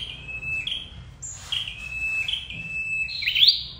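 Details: Lure call of a red-headed flowerpecker for trapping birds: thin, level high whistles in a loose chain, ending in a brighter rising flick; the whole run is fairly soft.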